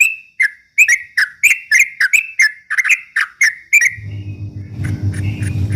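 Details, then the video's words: Straw-headed bulbul in ropel style, sung to stir rival birds: a quick series of sharp paired notes that breaks off into a loud low hum with faint scattered chirps. "kicau suara trucuk ropel memancing emosi lawan"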